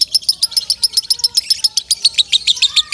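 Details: A lovebird sings loudly, a recording meant for tutoring other birds: quick, regular high-pitched chirps, some slightly doubled, with a soft rising whistle underneath near the end.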